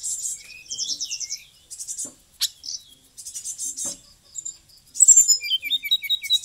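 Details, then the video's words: Singing white-rumped shama from Bali delivering a dense, varied song: buzzy trills, quick twittering notes and a sharp click, then a run of falling whistled notes repeated in series near the end. "srdc gacor full isian, tembakanny bikin lawan down"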